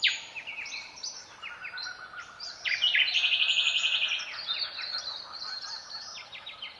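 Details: Silvereyes in a dawn chorus in southwest Australia: high, thin, rapid warbling and twittering notes, overlapping and tumbling without pause, with other small birds mixed in.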